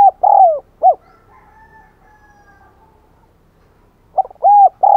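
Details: Decoy spotted dove calling to lure other doves: full phrases of deep, hollow coos, short notes alternating with drawn, falling coos, repeated after a quiet gap of about three seconds.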